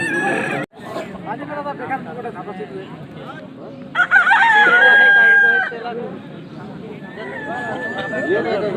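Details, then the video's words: Rooster crowing: one long, loud cock-a-doodle-doo of nearly two seconds that rises and then holds level, heard over a steady noisy background with people talking nearby and a brief abrupt break near the start. "Roster Crowing Campilation Plus- Roster Crowing Sound Effect."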